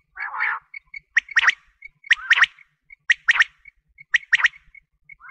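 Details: Quail call used for wheat-season hunting: sharp, clicky double and triple notes repeated roughly once a second, with a harsher, lower burst at the start and faint thin whistled notes between the phrases.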